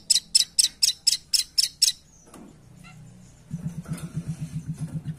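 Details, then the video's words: Velvet-fronted nuthatch used as a lure, calling in an excited chattering style: eight sharp, high ticking notes at an even fast pace, followed by quiet, then a low pulsing mechanical drone. "Suara Pikat! Pancingan Handal Burung Rambatan Paruh Merah Gacor"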